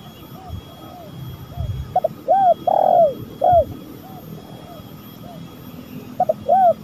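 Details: Spotted dove lure recording with two bursts of cooing, short notes leading into arched and rolling coos, separated by quiet stretches with faint distant coos and low background rumble.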